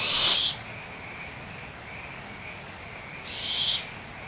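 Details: Young barn owls in a nest at Audubon Starr Ranch Sanctuary, April 2011, bickering over leftover food while the mother is close: a loud rasping hiss at the start, then another after about three seconds, frogs trilling faintly throughout.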